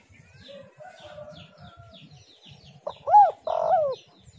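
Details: Soft background chirping and a thin whistle give way to a spotted dove phrase meant to lure other doves: a clipped arched note, then a drawn-out buzzy coo falling at its end.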